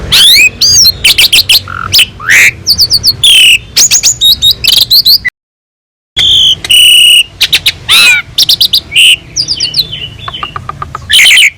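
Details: Asian pied starling singing actively on a master recording meant to tutor other songbirds, full of rich fill phrases: harsh broadband bursts, rising and falling whistles and rapid chattering notes, with a brief silent gap midway.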